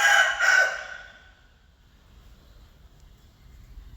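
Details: A rooster crows: a loud, hoarse cry fills the first second and fades away, followed by near silence.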